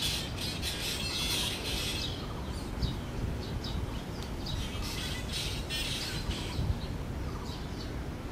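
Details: Hungry bird chicks in a park in Taiwan beg with a burst of rapid, harsh, hissing squawks that fade to scattered calls, over a steady low rumble of wind or handling noise.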